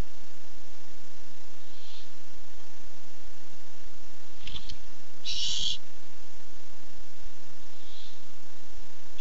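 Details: Barn owl looking for food, webcam recording from 8-7-15: a single strong breathy screech near the middle, preceded by a short click and faint soft hisses, with steady background hum.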